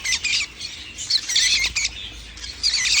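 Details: Baby lovebirds calling, recorded 11 January 2025: overlapping shrill squawks and chirps in short bursts, with a soft low background hum.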